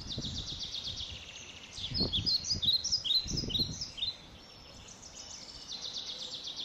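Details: Blackbird nestlings in a shed being fed insects; buzzy high begging trills give way to a loud flurry of sharp squeaky chirps with rustling and thumps, then faint scratchy calls resume.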